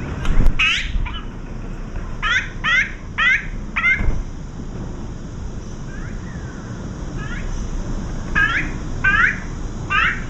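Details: Three wild azure-winged magpies perched on a bar give 'kkuing kkuing' greeting calls before leaving: quick rising squeaky notes in runs of three or four over a low rumbling background.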